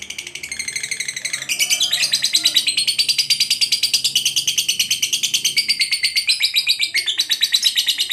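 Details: Training recording of a lovebird: a softer start swells into loud, continuous rasping chatter, quick buzzy notes pulsing about three times a second, with brief shifts in pitch and a faint low background hum.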